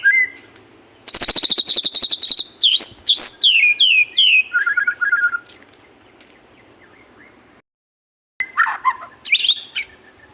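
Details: Magpie-robin singing vigorously: a fast rattling burst, then a chain of downslurred whistles and a fluttering lower phrase, a brief silence, and more varied whistling, with constant background noise.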